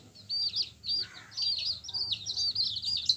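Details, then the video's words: Bright yellow hen chicks give a busy run of shrill, overlapping peeps, high and quavering, coming in bursts with short pauses between them. "Hen Chicks Colour full Yellow Baby Of hen Chirping Sounds"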